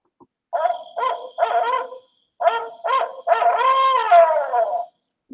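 Barred Owl hooting: a run of rich, barking notes in two phrases, ending in a long, drawn-out, falling 'who cooks for you-all'.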